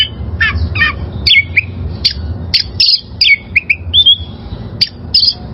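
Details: Oriental magpie-robin song used as a training recording for caged birds: loud whistled and scratchy notes in quick varied phrases, some sliding downward, with short pauses between bursts and a low background hum.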